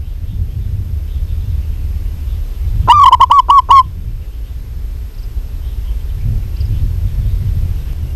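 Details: A single run of about seven fast, mellow cooing notes from a vigorously calling local zebra dove. A steady low rumble of background noise runs before and after the run.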